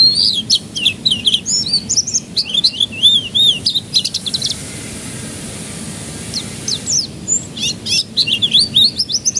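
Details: Young-canary singing lure of canary song: rapid high chirps and arched whistled notes at about four per second, a quieter pause mid-way, then bursts of sharp twittering return.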